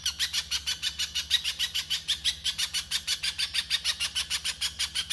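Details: Little spiderhunter in rough 'konslet' style masteran: a fast, harsh, scratchy chatter of about six notes per second held steadily for five seconds, over a faint low steady hum.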